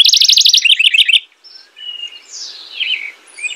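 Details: House wren finishing a loud, rapid trill of evenly repeated high notes, followed by a short silence and a few soft, thin, slurred whistles.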